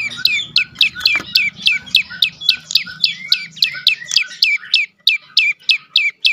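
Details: Prenjak lumut, a prinia, in lure song for quiet birds: crisp high chirps falling in pitch, about three to four per second, with the rhythm briefly broken near the end.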